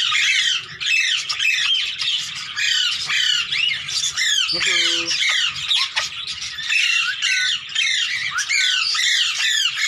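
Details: A hand-tame Indian green ring-necked parakeet (Psittacula krameri) playing with its handler gives harsh, rapid, high screeching squawks almost without pause, with a brief low voice partway through.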